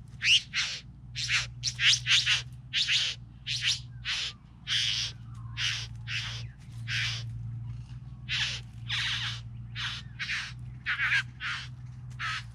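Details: Three bowerbirds in a long run of about twenty rough, hissing churrs, delivered in quick clusters with brief pauses, backed by a continuous low hum.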